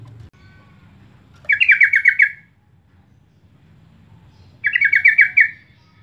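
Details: Yellow-vented bulbul lure call to set other birds singing: two bursts of rapid, rippling chatter, each under a second, about three seconds apart, with little else heard.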